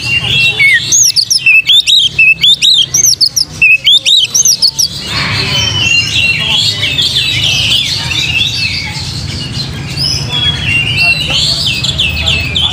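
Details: Oriental magpie-robin song used as a lure to provoke singing: loud, clear whistled phrases with quick up-and-down slurs for five seconds, then a dense, noisy blend of chirps over a low hum.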